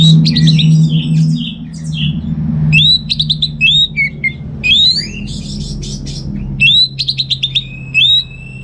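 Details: Home-kept orange-headed thrush in North Bali, Singaraja, recorded as a lure song for other birds. It gives repeated rising whistled notes in short clusters with chattering fragments between them, over a constant low mechanical hum.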